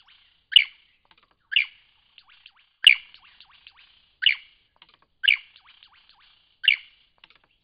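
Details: Repeated song of a lyrebird at Cape Liptrap Coastal Park, seven loud clipped bursts at fairly even intervals of about a second, each followed by faint buzzing and slurred notes.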